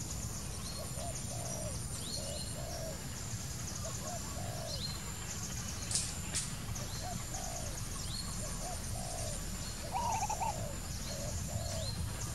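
Spotted Dove gives soft, low cooing notes in short repeated groups every second or so. Thin insect buzzing, scattered chirps from other birds and low rumbling noise sit behind it.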